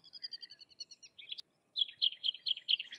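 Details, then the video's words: Sykes's lark, known to imitate other birds, gives a series of evenly spaced high double notes, then after a short gap a louder run of rhythmic buzzy chirps. "Sykes's Lark or Twany Larks Singing - Songs - Call - Sounds"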